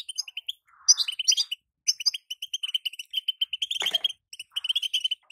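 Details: Female European goldfinch, kept as a cage bird, calling to prompt a moulting male to sing: rapid series of short high chirps and twitters, repeated in quick bursts with brief pauses.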